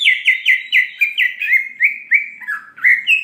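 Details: Greater green leafbird, lure song in gacor nembak isian style to provoke emotion; crisp slurred notes repeated about four times a second, falling slightly, then twisting upward at the end.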